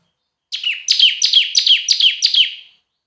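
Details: Loud tutor song of a bar-winged prinia (ciblek), a semi-active singer: one rapid phrase of six sharp, buzzy, downward-sweeping high notes delivered in just over two seconds.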